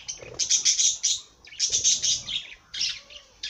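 A parrot gives bursts of harsh, high, scratchy chattering notes in three groups over a few seconds, with brief pauses between them.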